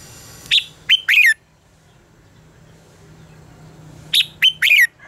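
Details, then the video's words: Red-whiskered bulbul in fighting song, used as a lure recording for training birds to sing. Two short, loud whistled phrases of rising and falling notes, about three seconds apart, with quiet between them and a faint low hum. "luyện giọng cho chào mào hót hay - căng lửa, chào mào hót quá phê"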